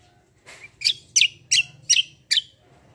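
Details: Black-winged myna in lively fighting song, giving six sharp, high chirped notes spaced about every third of a second, each a quick bright downward flick, over a quiet background.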